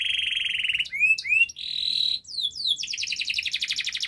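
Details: Singing canary in a master lure recording meant to prompt reluctant canaries to sing: a buzzy rolling trill, two rising whistled notes, a harsh flat buzz, quick downslurred chips, then a dense rapid trill to the end.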